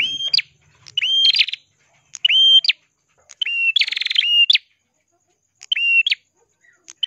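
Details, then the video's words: Prenjak kelawu, ashy tailorbird, in vigorous crystal song for training songbirds: high level whistled notes with rising onsets and sharp upturned tails, some joined by dense buzzy trills, in spaced bursts. "burung prenjak kelawu gacor suara kristal cocok untuk masteran❗prenjak kepala merah❗"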